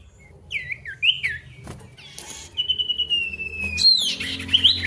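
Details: A male pied bush chat calling a rival gives a few slurred whistles, a long steady thin whistle, and then a buzzy scratchy rush of notes.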